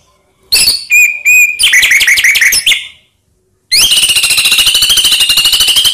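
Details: White-rumped shama lure song to provoke other shamas: short chips and whistles build into a varied warbling phrase, then a long fast trill of evenly repeated notes.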